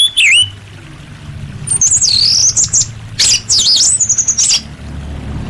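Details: A female orange-headed thrush calls males, used as a lure to get quiet birds singing. High, wavering, warbled whistles come in phrases of rising and falling notes, with little background noise.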